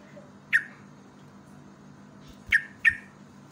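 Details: A yellow-vented bulbul in a lure-call recording gives three short, harsh, downslurred chirps, one alone and then a quick pair, over a faint low hum.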